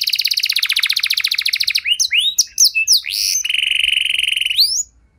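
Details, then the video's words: Canary song with special long-duration phrasing, used to stimulate silent canaries into singing again: a fast trill repeated about 20 times, then varied swooping whistled notes, then a steady high buzzy note and a pulsed trill ending with a rising whistle. "Kenari Gacor Durasi Panjang Cengkok Istimewa! Efektif Buat Memancing Kenari Macet Biar Gacor Kembali"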